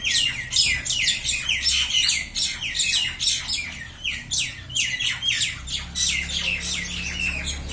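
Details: Common mynas fighting, squawking in a dense, continuous stream of harsh, grating, high-pitched notes that overlap several times a second, with a faint low hum underneath.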